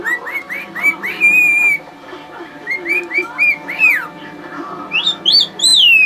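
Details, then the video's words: Male pet bird whistling for his mate as a show-off: a run of short rising whistles into a held level note, a pause, then quicker chirps and high falling swoops. "Silly bird whistle"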